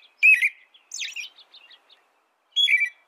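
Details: A few phrases from an American robin: a loud slurred whistle, a higher buzzy note, faint soft notes, then another slurred whistled phrase.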